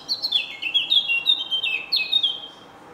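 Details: At Senigallia on 25 June 2016, a Eurasian blackcap sings in the morning: a hurried chain of bright whistled notes, each gliding down in pitch, delivered loud and fast before trailing off.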